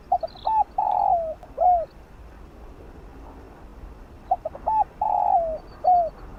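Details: Decoy-training song of a spotted dove, Vietnamese 'giọng đồng' style sung fast to excite newly caught birds: two phrases about three seconds apart, each three quick soft coos, a long sustained coo falling at its end and a bent last note.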